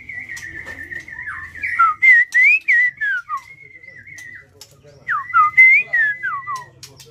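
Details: Captive white-rumped shama, a contest-quality bird that sings very prolifically, pouring out loud clear whistled phrases with sharp downslurs and quick flourishes, in two bursts separated by a short pause.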